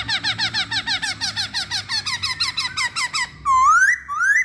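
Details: Masked laughingthrush lure: a fast run of repeated squeaky, downslurred notes, roughly three per second for over three seconds, then two long, loud, rising whistles.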